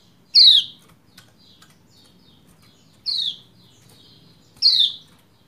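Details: Female Lombok white-eye calling to a male to stir him into song: three loud, sharp descending 'ciak' notes, each about a quarter second, spaced roughly two seconds apart, with faint clicks between.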